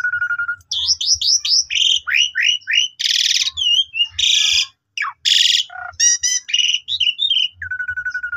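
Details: Young Asian pied starlings' song used to train other starlings: loud varied medley of clear whistles, rising slurred notes, harsh buzzy bursts and rapid chatters, opening and closing with a steady mid-pitched whistle.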